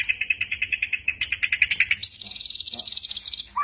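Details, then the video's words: White-rumped shama (murai batu) in kretekan style, a training recording meant to provoke and teach song: fast, evenly repeated chip notes at mid pitch, sliding into a high, buzzy rattling trill for the final second and a half. "masteran murai batu kretekan pancing emosi"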